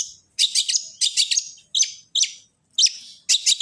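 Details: Long-tailed shrike song played to make other shrikes call: clipped bursts of harsh, high chattering notes, each burst a quick cluster of two or three chips, separated by brief silences.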